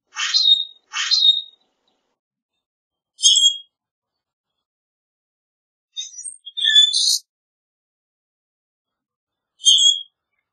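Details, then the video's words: Common grackle singing and calling: two harsh, rasping broadband notes in quick succession, then a series of squeaky, creaking high phrases spaced a few seconds apart, some with a lower whistled tail; otherwise silent. "Common Grackle Song! Common Grackle call!"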